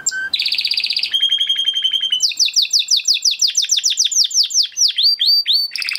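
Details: Huppe (crested) Spanish Timbrado canary from 2020 breeding, kept in a flock, singing a training song: rapid sequence of tours, a bell-like metallic trill, a steady held note, then fast repeated descending whistled notes and a closing trill.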